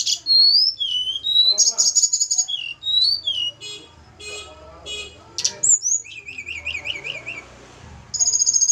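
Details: Caged snowy-browed flycatcher from Java, kept for pairing, sings varied whistled slurs and buzzy rattles, then a long wavering zigzag trill, with some rustling noise.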